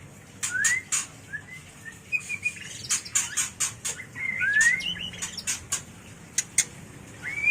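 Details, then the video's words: White-rumped shama mating call for bird training and luring: short rising whistles scattered among many sharp, loud clicks and chips, with a steady low hum underneath. "Suara murai batu kawin paling ampuh untuk terapi dan pikat burung agar cepat gacor"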